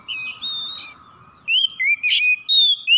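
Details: Morning call of a White-rumped shama: a soft whistled start over a low hum, then loud clear whistles rising and falling with a harsh buzzy burst in the middle.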